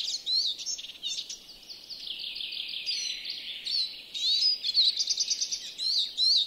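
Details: European greenfinch in a Joroinen yard, Finland, delivering a continuous fast twittering song of chirps, rolling trills and short whistled slurs, with brief pauses near three and four seconds.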